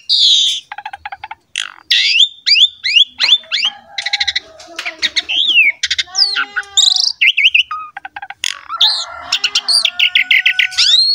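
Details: Asian pied starling in full masteran song, a model for training young and wild-caught birds: a fast, varied stream of bright whistles, sweeping slurred notes, harsh buzzy bursts and rapid clicking rattles, with short pauses between phrases.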